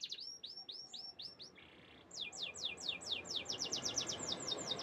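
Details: Canary song with bright, high chirped phrases: a string of rising-then-falling notes, a short buzzy burst, then a long, fast rolling series of sweeping notes that grows louder toward the end.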